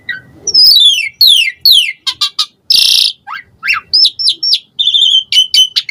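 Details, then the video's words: Asian pied starling singing a lively, varied song with filler phrases, used as a lure to make other starlings respond. Loud descending whistled sweeps are followed by a harsh noisy burst, then quick chirps and steady high whistles. "Suara Jalak Suren Gacor Full Isian Mompa Unik Pancingan EMOSI Burung Jalak Auto NYAUT"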